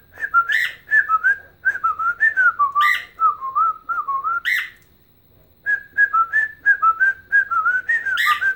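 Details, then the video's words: Dancing pet bird whistles a long run of its Chelsea Dagger rendition, a Chicago Blackhawks tune. Rapid, warbling whistled notes rise and fall in a melodic chain, pause for about a second, then resume in the same lively pattern indoors. "Singing and Dancing Ike Bird"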